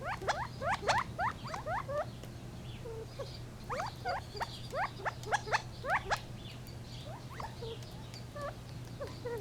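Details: Gambel's quail producing clusters of fast rising chirps, dense at first and then sparser, with short flat notes between and a persistent low hum.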